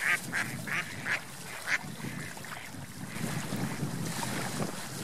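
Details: On a lake where ducks swim and fly, a short run of four or five rough quacks opens, then gives way to steady water and wind noise.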